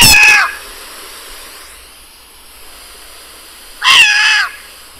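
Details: Short-eared Owl giving two harsh, raspy screams, each about half a second long and four seconds apart, a scream that can sound like a Barn Owl's, over a faint steady hiss.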